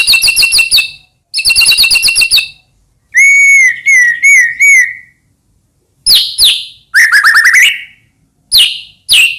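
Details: White-rumped shama song meant to provoke other shamas to sing: fast ringing rattled trills, a clear whistled phrase with wavering notes, then quick rising whistles and scattered sharp chips separated by silences.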